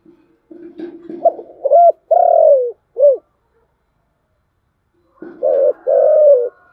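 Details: Spotted dove giving 'giọng thổ chiêu gù' style coos: a rough, rising lead-in, then a short note, a long sliding coo and a clipped final note. A second deep phrase starts after a pause of about two seconds.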